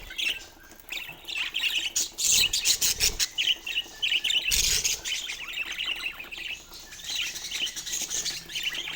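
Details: Several pet budgerigars playing with a toy keep up a steady warbling chatter of high chirps and squeaks, broken by two loud bursts of clattering and flapping noise.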